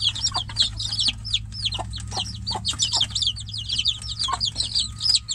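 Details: Caged chicks crying for their mother hen, who is outside the cage: a continuous chorus of shrill, downward-slurred peeps, closely packed and overlapping, with a faint low hum beneath.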